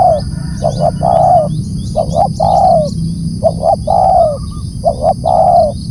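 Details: Loud calling from a spotted dove, four repeated phrases, each a double short coo running into a longer mellow coo. Thin high twitters from other birds sound faintly behind.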